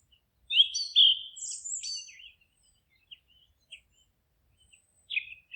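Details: Songbirds singing in a forest: a burst of bright, high chirps and short whistled phrases, then quieter scattered tweets and a final rising trill, with pauses of near silence between.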